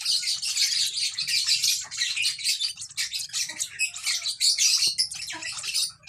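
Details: Lovebird chick chirping almost without pause, a steady stream of shrill, raspy, high-pitched twitters rising and falling in loudness over six seconds, with a low hum in the background.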